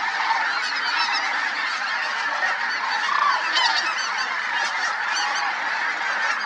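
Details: Flying flock of Snow Geese at Merced National Wildlife Refuge, 21/02/21, with Sandhill Cranes also in the air. Steady wall of overlapping high honking calls from many birds, with several sharper yelps standing out midway.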